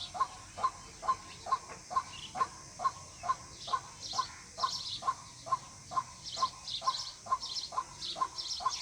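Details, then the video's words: Lure call of a White-breasted waterhen, played for bird hunting. About twenty short, sharp notes follow at an even pace of roughly two per second, with soft background hiss and faint higher chirps. "Jal murgi Ki Awaz water hin || ডাউক পাখির ডাক। Waterhen Bird Call।"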